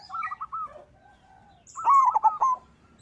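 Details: Persistent local zebra dove song meant to set other doves singing: a short series of soft coos, a pause, then one loud rolling stuttered phrase.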